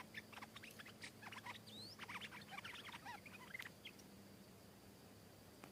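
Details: Stripe-throated bulbul, wild, responding to a caged bird and coming down to strike it fiercely; busy tumbling series of sharp chirps and slurred whistles for about four seconds before fading out, with a low background hum.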